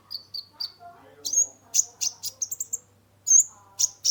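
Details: Brown-throated sunbird (kolibri ninja) in full song used as a lure for stressed caged birds: a few short whistles, then loud sharp high chirps in a quick series, a pause, and more bursts.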